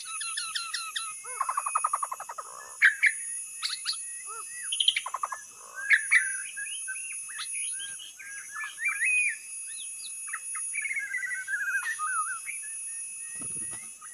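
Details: White-rumped shama song used to lure birds: a rapid stuttering trill, loud sharp clicks, then a long varied run of slurred whistles and twittering phrases, with a faint steady background hiss.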